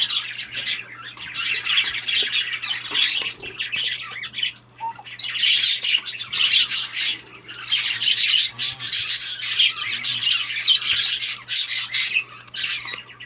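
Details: A cockatiel chick gives harsh, hissing, broad-band squawks in long rasping bursts, nearly continuous with short pauses, all high-pitched, with a low steady hum beneath.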